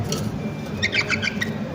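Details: Pet lovebird parents kept with their chicks, calling while the owner talks to them in Tamil and asks to come in and see the babies; a quick run of short, high, sharp chirps in the second half over a low murmur of voice.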